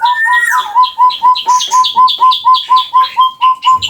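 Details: Javan chestnut-bellied partridge, endemic to West and East Java in Indonesia, in a long call: a steady, regular run of short, even whistled notes, about two per second, each with a bright upper overtone, sustained throughout.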